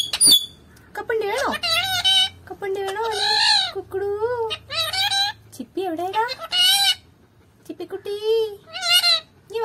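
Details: Talking parrot imitating Malayalam speech: a quick sequence of voice-like syllables with bending, wavering pitch, some rising sharply, delivered in short phrases with gaps between them.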